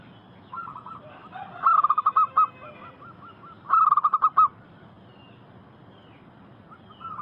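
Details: Two brief bursts of rapid clipped cooing notes from a local zebra dove, meant to lure wild doves into answering, with softer scattered coos between and faint background hiss.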